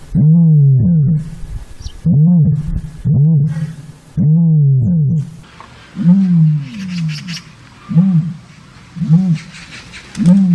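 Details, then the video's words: Common ostrich calling: deep, booming, arched grunts repeated roughly once a second in short bursts, each with strong low harmonics, later with a hissy higher noise in the background. "Ostrich sound"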